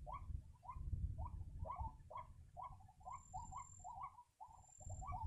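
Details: White-breasted waterhen, called ruak-ruak in Indonesia, heard while being lured for trapping: short hooked croaks repeated about twice a second, with a brief dip in the middle, against a rumbling low background.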